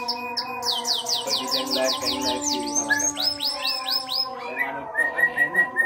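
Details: Local canary in lively song, delivering fast runs of high descending whistled sweeps in two bursts, then brief high chirps, over steady sustained musical tones in the background.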